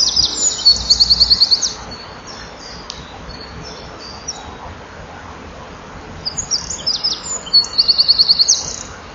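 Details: Eurasian wren male performing for nearby females at a nest-box camera, June 2012, 16:57; a fast high trill opens, scattered faint notes follow, then another bright rattling trill near the end.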